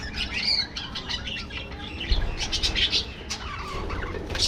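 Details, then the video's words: Captive budgies warble and chirp in short clusters, with whistled notes and a low thud partway through amid steady colony chatter. "parrots,parrot,talking | budgies bird"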